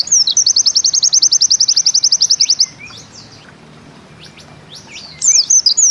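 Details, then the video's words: Bustomi-type white-eye (pleci) singing the 'nembak ziperrr' style: a fast, even trill of high, sharply down-slurred notes lasting over two seconds, then a quiet gap, then thin whistled slurs. "Bustomi NEmbak Ziperrr Mudah DI Tiru"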